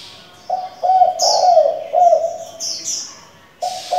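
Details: Repeated hoarse coos from a spotted dove used to train young doves: a quick clipped note, a long wavering coo, then another rolling note, with a fresh phrase starting at the end. Bright high chirps from other birds overlap.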